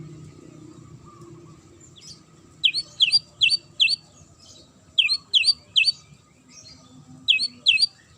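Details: Magpie-robin with a sharp song aimed at provoking responses: three bursts of four quick, piercing high chirps each, separated by brief pauses over quiet background.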